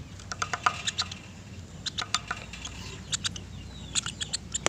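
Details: Sharp, high ticking calls of a woodpecker repeat in loose series of two to four notes, spread evenly through the recording over a faint low hum.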